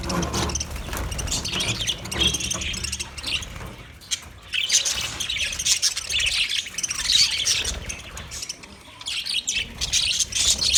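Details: Budgie flock chattering steadily: high, scratchy squawks and warbled chirps overlapping in long runs, with a short lull near the middle before the busy calling resumes.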